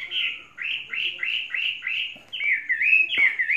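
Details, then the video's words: Chinese hwamei, a caged bird kept three seasons, repeating one slurred whistle about five times in steady succession, then shifting to a fast, warbling run with a couple of clicks. "Hoa mi hót cực hay"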